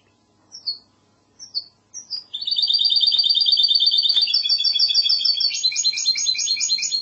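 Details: Goldfinch hybrid singing classic Andalusian song: three spaced high notes, a long buzzy trill, then rhythmic repeated phrases that turn into a loud rapid chatter.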